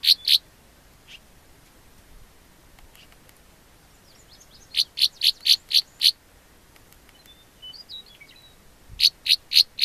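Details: One of two Northern rough-winged swallows perched close up on an open car door frame near a dirt cliff with nest cracks gives short, rough buzzy notes in bursts of three to five, with faint thin twitters between.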